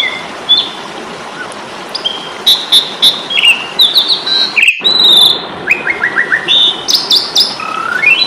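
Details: Asian pied starling (jalak suren) fighting song from Indonesia, used as a tutor recording for caged birds: bursts of clear whistles, slurred upsweeps and rapid stuttered notes, with a brief break midway and steady background hiss.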